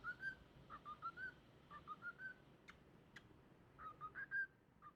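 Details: A cockatiel sings short, pure whistled phrases, each rising a little, repeated in clusters; meant to encourage baby cockatiels to whistle and sing.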